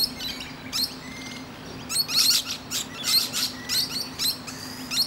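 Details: Musk lorikeet on a branch, chattering to other birds: a fast, uneven string of shrill, raspy chirps and screeches, getting busier after a brief lull, with a low hum underneath.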